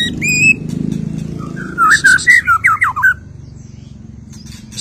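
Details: After its moult, a white-rumped shama sings: one clear upslurred whistle, then a quick series of looping, warbled whistled notes, against a steady low rumble.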